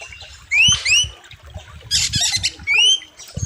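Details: Oriental magpie-robin singing sharp, varied phrases with a wild river setting. Loud rising whistles alternate with a harsh, dense buzzy burst, over low rumbling background noise.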